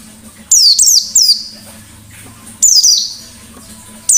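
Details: Lure recording of a white-eye singing ngalas style: a cluster of three squeaky descending twitters, a pause, then two more high bursts, over a soft low hum.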